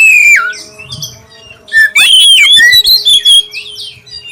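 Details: Black-breasted oriental magpie-robin song used as a lure to prompt other magpie-robins to sing, described as clear: a long whistle falling from high to low, then a loud burst of rapid, varied, slurred whistles after a short pause.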